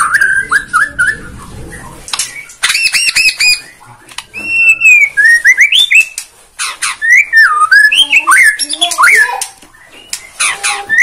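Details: Borneo white-rumped shama in full lure song meant to provoke birds into singing: loud, varied whistled phrases with rising and falling slurs, sharp high strokes and quick note runs, separated by short pauses.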